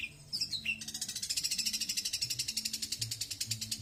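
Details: Long-tailed shrike (cendet) singing in the slow 'tembakan' style: a brief high sweeping note, then a fast, even chatter of sharp high pulses, about eight per second, over a faint low hum.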